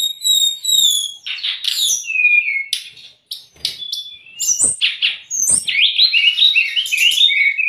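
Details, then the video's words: A brown-chested jungle flycatcher sings a rich, varied mix of high whistles, sharp buzzy notes and rapid trills, with a brief gap near three seconds. The song serves to tutor and provoke raw or stressed kept birds. "MASTERAN DAN PANCINGAN SRDC"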